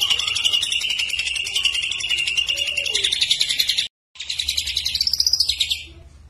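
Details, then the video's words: Greater green leafbird singing energetically, with kapas tembak and lovebird imitations mixed in. A continuous rapid chattering trill breaks off briefly, then resumes in a rising and falling sweep of fast notes. "Cucak Ijo Gacor Isian Kapas Tembak Sambung Love Bird"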